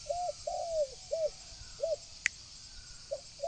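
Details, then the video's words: Spotted dove cooing as a decoy for wild doves: short, soft, arched coo notes with one longer drawn note, spaced irregularly. A constant high insect buzz runs underneath and there is one sharp click. "Tiếng chim cu gáy gù gọi hay cực chất dùng kích bổi gù kich mồi"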